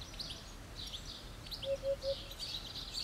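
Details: A Eurasian hoopoe perched on a roof tile sings insistently, a soft, low, hollow 'oop-oop-oop' of three quick even notes, over the high chirping of other small birds.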